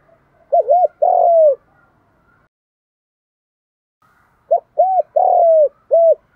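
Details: Spotted dove in the 'đồng thổ' fighting voice, used as a lure for wild doves. A three-part phrase, a pause of about three seconds, then a longer variant of several short looped notes around a drawn-out falling coo, ending on an extra note.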